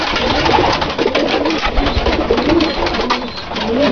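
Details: Dalıcı-related domestic pigeons kept indoors, with other breeds present; muffled low coos recurring every second or so, partly buried in loud steady background noise and shuffling.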